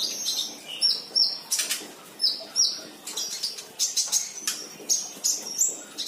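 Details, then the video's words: A sunbird gives high, thin whistled notes and short sharp chips in quick, irregular bursts, mixed with fluttering and rustling sounds. "Kolibri trotol gacor"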